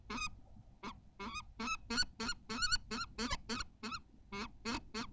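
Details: Common kestrel at its nest at Théding during egg laying, 14 May 2023: harsh, ringing calls in rapid irregular bursts, about three to four a second, over faint low rumble.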